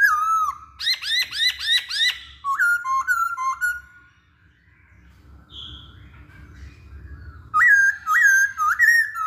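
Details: Masked laughingthrush lure song meant to get other birds to sing: quick rhythmic arched notes repeated about twice per second, a few whistled phrases, a quiet gap, then renewed bright whistled notes.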